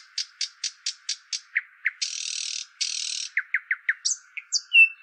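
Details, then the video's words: Small bird calling with a quick run of sharp, clicky chirps about four per second, then two long harsh buzzy bursts, followed by more falling chirps and a few high whistled notes. "चिड़िया की आवाज"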